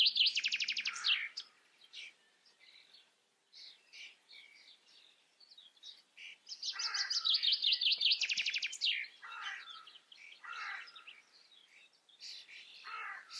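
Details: Common starling in the Eifel, singing a long medley: fast dry clicking rattles, squeaky whistles and wheezy slurred notes, with a second rattling burst after a short break and scattered chatter after it.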